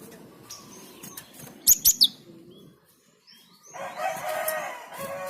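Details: Java sparrow singing to prompt nearby birds to sing too: scattered flutters, a sharp trio of high bell-like notes, a brief quiet gap, then a lower, rough, drawn-out call.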